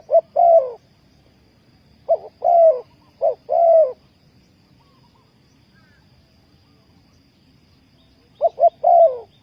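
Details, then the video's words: Spotted dove calling as a decoy to lure wild doves for trapping: three low, mellow cooing phrases, each two or three short hoots ending in a longer drawn-out coo, spaced by quiet pauses. "นกเขาใหญ่สายต่อดิน,Tekukur pikat,Cu gáy Ninh Thuận,Sound Of dove"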